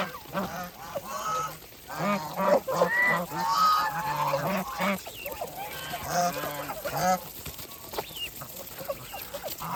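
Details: Farm geese honk while feeding, with a busy run of overlapping nasal honks swelling in the middle seconds, then fading to scattered calls.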